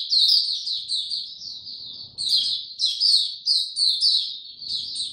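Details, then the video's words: White-eye without health supplements, 29 April 2022, giving a lively high warbling twitter of quick chirps and short trills, nearly continuous, faint low noise beneath. "Mata Puteh Hercules buka sing"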